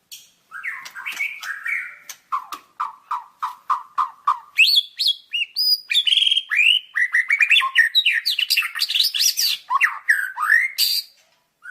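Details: Lively white-rumped shama song, opening with a wavering whistle and a long string of quick, clipped notes, then breaking into a dense, fast medley of varied whistles, twitters and upslurred phrases.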